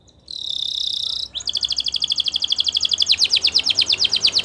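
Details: Belgian canary singing: a short buzzy high note, then a brief pause and a long run of rapid, high, chipping notes that repeat steadily and grow louder toward the end.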